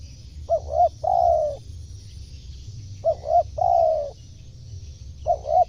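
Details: Spotted dove calling, used to lure wild birds; a soft low cooing phrase of two short rising-falling notes followed by a longer drawn-out coo, repeated about every two and a half seconds over faint background hum.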